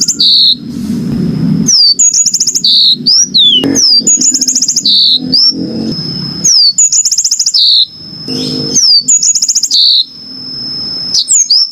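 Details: Yellow-fronted canary song made of fast high trills, falling whistled slurs and brief buzzy bursts, repeated phrase after phrase with little pause; a constant faint high tone and low murmur run underneath.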